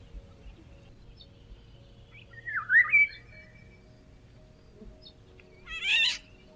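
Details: Eurasian Golden Oriole in summer treetops giving a brief flute-like, melodious whistle that dips and rises, then a second, scratchier high note cluster a few seconds later, over a low steady background hum.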